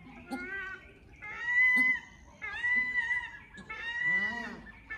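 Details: Paradise shelducks give four nasal, honking calls, each under a second long and slightly bending in pitch, with a faint low background murmur.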